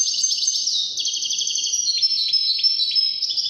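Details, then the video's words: Continuous high-pitched European goldfinch song, 'widani' goldfinch, a fast liquid twitter of rippling trills and short chirps, mixed with bright tinkling notes and occasional lower dips, delivered without a break. "تغريد طائر الحسون الويداني chant de chardonnere"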